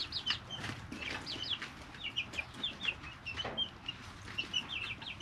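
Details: Three-week-old chicks in a brooder, natural audio; shrill looping peeps from several birds in quick succession, downward-curving notes, with soft rustles and an occasional thump.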